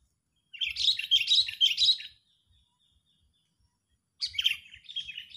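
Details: Agitated sooty-headed bulbul used to lure rival birds for trapping: rapid scratchy chattering notes in a two-second burst, a pause, then another burst of slurred chirps.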